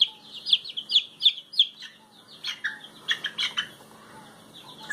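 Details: Noisy ducks peeping rapidly with shrill high notes, a quick series first, then a brief pause and a burst of rougher, broader calls among clicking sounds.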